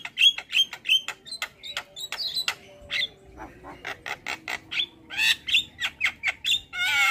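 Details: Starling song on a recording meant to make kept starlings sing: quick whistled notes and sharp clicks in steady succession, a brief quieter stretch, then denser rasping chatter building toward the end.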